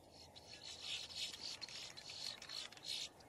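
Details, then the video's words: Boat-tailed grackle giving distress or alarm calls: a run of harsh, noisy bursts, high and scratchy, repeated about every third of a second over three seconds, with no other clear sounds. "Grackle bird call / song / sound | Boat tailed"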